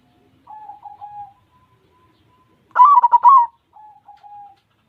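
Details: Zebra dove of the white form in song: soft, level cooing notes, then a loud burst of quick, bubbling, stuttered coos, ending with a gentle sustained coo.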